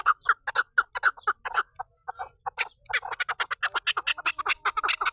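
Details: Female chukar partridge calling in quick clucking chuck notes, a short pause near the middle, then a faster, denser burst of rasping notes to the end.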